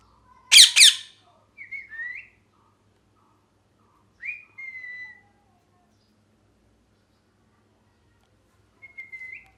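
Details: Parrot giving one loud, harsh, rasping double squawk, then three short whistled notes near the same pitch, some gliding upward, spaced a few seconds apart against near silence.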